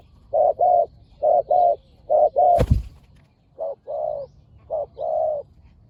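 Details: Spotted doves, both aggressive, coo at a decoy-luring session in repeated pairs of mellow hollow notes. A single sharp knock breaks in midway, then the paired cooing resumes, slightly softer.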